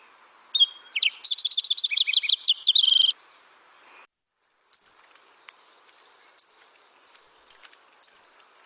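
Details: Fox Sparrow song from the Lake Tahoe area: a rich, quick run of slurred, rolling whistles lasting under three seconds, with a 'dipsy do' sound, then three thin, high, sharp notes about one and a half seconds apart.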